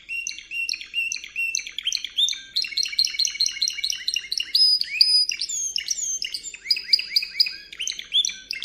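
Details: Singing Spanish Timbrado canary in training audio from 2014–2015: continuous bubbling run of quick chirps and upward slurs, varied and rapid with occasional piercing high notes.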